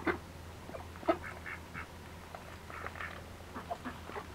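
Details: Red-billed teal kept alongside a dominant pair, giving soft, rasping quacks in scattered groups of two or three, with a low constant hum underneath.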